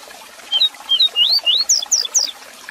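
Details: Coleiro, or double-collared seedeater, giving the 'Tui Tui Zel Zel' tutoring song for kept birds: roughly eight brief bright whistles in quick succession, each slurred, the final notes pitched highest, with soft background hiss.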